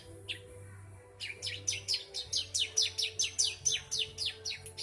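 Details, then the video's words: Three-month-old ciblek, or bar-winged prinia, singing mriwik nembak: a single high note, a short silence, then an even rapid series of sharp downward-sweeping chirps, about three per second, over a low background hum. "ciblek umur 3 bulan mriwik nembak"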